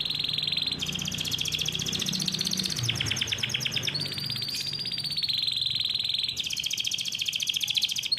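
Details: Canary raised on an Indonesian bird farm delivering a long continuous roll used to tutor young birds; sustained high buzzing trills shift in speed and pitch, with a brief rapid rattling section mid-phrase.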